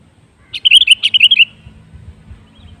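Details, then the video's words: Sooty-headed bulbul song used as a lure to prompt other birds to sing: a quick run of bright, bubbling whistled notes lasting about one second, with a faint low hum underneath. "Suara Pancingan Burung Kutilang"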